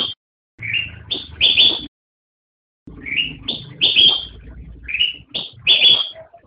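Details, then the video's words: Song of a black-crested bulbul, called kutilang emas: bubbly whistled phrases of several quick rising and falling notes, climaxing in a louder warbled note, separated by a pause of about a second. "Suara Burung Kutilang Emas"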